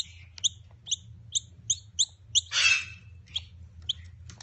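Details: Young Noisy Miners learning to feed on their own while in care; evenly spaced sharp chirps, then a loud harsh rasping burst, followed by scattered chirps over a faint low hum.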